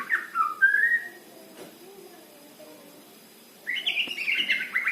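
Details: Male white-rumped shama in trotol-style song: a short burst of bright falling and rising whistles, then a pause with faint low notes, then a rich, rapid whistled phrase with quick changes in pitch.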